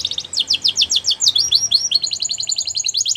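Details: Canary in the wild giving rapid high chirped notes in quick bursts, then a long even trill of fast repeated pips, with a faint low background hum.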